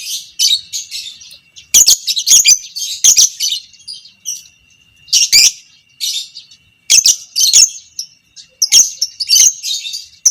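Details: Fighter lovebird, training sound for other lovebirds' long ngekek: ten seconds of repeated bursts of harsh high chattering, groups of sharp chips separated by short quiet gaps, a faint steady tone beneath.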